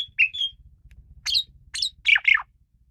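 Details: Asian pied starling giving excited song with a rough edge: a pair of whistles followed by several harsh, squawky, downward-sweeping notes over a soft low hum.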